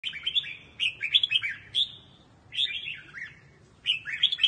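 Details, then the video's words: Red-whiskered bulbul song in the Quang Tri regional style, used for voice training: bright warbled phrases of quick rising and falling whistled notes, three bursts separated by short pauses, over a faint low hum. "Luyện giọng cho chào mào ( tông vùng quảng trị )"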